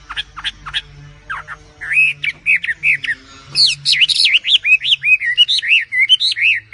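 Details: Oriental magpie-robin (wambi), from a compilation featuring small local birds and females calling males: scattered chirps give way to a fast, varied stream of buzzy, looping whistled phrases, with a faint low hum in the background.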